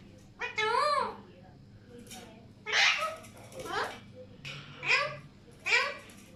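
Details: Alexandrine parakeets calling: a tonal, rising-then-falling cry, then several harsh, screechy calls, about six bursts in six seconds with short pauses between. The background is quiet and low-level.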